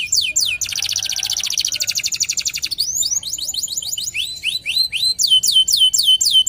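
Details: Local Indonesian canary used as a lure song: falling whistles, a long rapid buzzing trill, then crisp repeated swooping notes about four per second.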